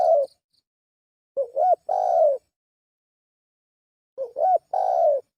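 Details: Lure calling by a spotted dove: the end of one coo, then two full phrases some three seconds apart, each a wavering double hoot and a long descending coo.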